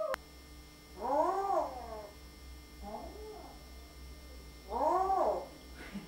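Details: Pet talking parrot producing drawn-out, arching, meow-like wails that rise and fall, with a softer one between. Steady background hiss and hum are clearly present.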